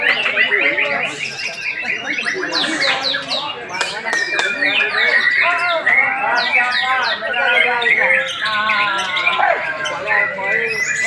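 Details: White-rumped shama, one year four months old, singing a dense, unbroken run of varied whistles, rapid trills, sharp clicks and chattering notes, some rising and falling sweeps, with little pause throughout.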